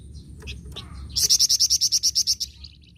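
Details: Vigorous flamboyan bird song: a clear run of about thirteen loud, high, sharp notes repeated evenly at roughly eight per second, following a few faint chips, with a low steady background hum.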